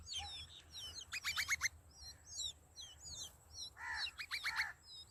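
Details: Hungry sparrow nestlings in the nest chirping for food from their parents: bursts of rapid, high, buzzy chirps stacked in quick runs, between thin, sharp, down-slurred high tweets, with a faint low hum underneath.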